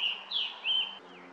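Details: Scarlet tanager on the south side trail of Stony Brook Audubon Wildlife Sanctuary, filmed with a Nikon Coolpix P1000: two hoarse, slurred high phrases, the second rising then dropping, followed by a faint trailing note.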